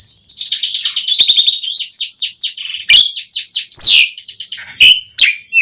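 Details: Asian pied starling (jalak suren) song played as a lure for starlings; rapid high twittering trills give way to a sweeping loud whistle, then two separate clear whistled notes.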